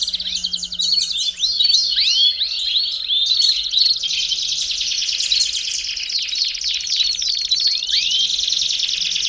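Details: Belgian canary song for warming up a canary: a loud, unbroken, dense trilling with repeated swooping whistles woven through, high and bright throughout.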